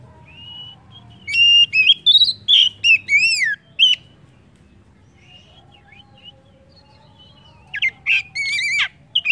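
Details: Kacer, the Oriental magpie-robin, singing as a lure to get other birds singing. It gives a run of sweet whistles and slurred falling notes, then a long quiet gap, then a second brisk burst of bright notes.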